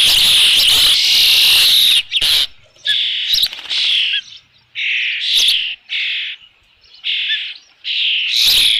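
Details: At Dunrovin Ranch on 3 June 2018, late afternoon, an osprey at its nest with a fish gives a long harsh scream, then a rapid series of shorter whistled chirps.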